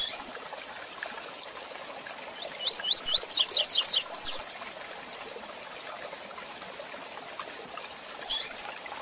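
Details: Double-collared seedeater singing the classic Tui Tui Zel Zel song style, used for training birds: a short run of about eight quick rising whistled notes in the middle, then a single note near the end, over steady hiss.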